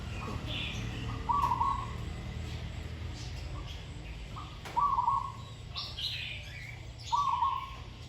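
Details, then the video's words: Zebra dove in continued training, with a pleasant voice and good phrasing, utters three quick trilled coo bursts spread over several seconds, amid steady low rumble and intermittent chirps from other birds. "นกเขาชวาฝึกต่อ เสียงเพราะๆ เดินกลอนดีๆ"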